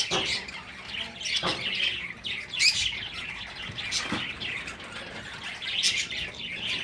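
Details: Bright, high chirps from breeding finches, several birds overlapping, with a few sharp clicks or taps scattered through.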